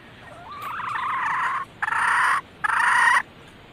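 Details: Female red junglefowl call used as a lure to attract males: a drawn-out rising cackle followed by two long, harsh, even notes separated by short pauses.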